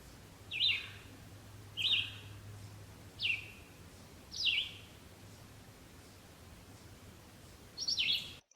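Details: Red-eyed Vireo song lacking any raspy quality, presented for comparison with the yellow-throated vireo: five clear slurred phrases spaced roughly 1.3 seconds apart, each a brief downslurred whistle, with a low steady hum beneath.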